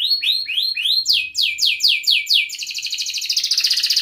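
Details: Canary song used as a prompt to get other canaries singing: rising whistled notes around four a second, then falling sweeps, ending in a fast buzzy trill.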